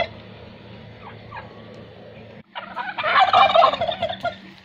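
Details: A turkey answers a chanted takbeer with a loud, rapid, bubbling gobble lasting about two seconds, after a quieter start with a low background hum.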